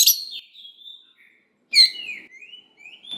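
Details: Oriental magpie-robin in full voice, a lure to stir young wild-caught birds into answering: a sharp note, then a thin sustained whistle, then a second loud note leading into sliding, rising whistles.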